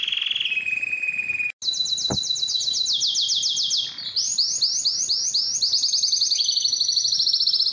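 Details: Belgian canary's loudest courtship song to attract females: a lower whistled trill, a short click, then fast rolled phrases repeated about four per second.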